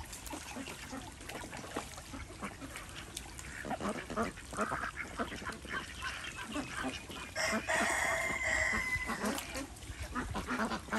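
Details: Desi ducks swimming in a pond on a small village farm in India, giving rapid, rough quacks in an irregular chatter; a drawn-out rooster crow rises over them near the end.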